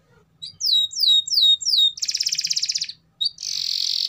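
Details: Canary in vigorous song: a string of loud descending whistled sweeps, then a fast buzzy trill of rapid pulses, a short pause, and a dense rattling trill at the end.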